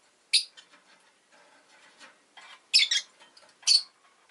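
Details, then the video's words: Rosy-faced lovebird, a household pet, calling with a few piercing, grating chirps over faint scattered chatter and low background noise. "Lovebird Chirping Sounds"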